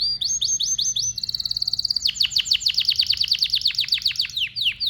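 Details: Male domestic canary singing: several rising whistles, then a long rapid series of bright downward sweeps repeating quickly, ending in a single slur.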